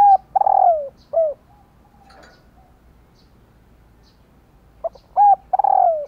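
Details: A hen spotted dove gives her call, used to stir males into cooing. One phrase opens the recording and another arrives near the end: brief clipped notes, then a drawn-out, falling coo. Softer murmurs fill the gap.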